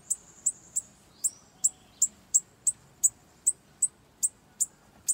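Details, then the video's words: Bananaquit in a campeada, a long series of thirteen very high, sharp ticks in quick succession, with a brief lower slurred note early on and a quiet background. "PRA DEIXAR QUALQUER SIBITE LOUCO 😱 Campeada com Sibite"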